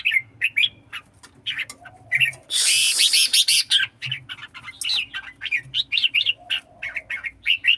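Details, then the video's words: Red-whiskered bulbul at a singing contest, giving a rapid run of short, bright, chirpy whistled notes, several per second, broken by one loud harsh burst of about a second near the middle; faint low hum underneath. "Chào mào songkon đấu hót"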